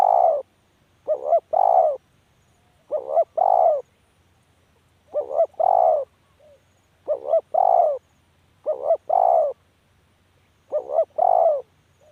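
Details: Long series of spotted dove calls: six or so paired phrases, each a short wavering lead note and a longer hoarse coo, repeated every one to two seconds with near-silent gaps.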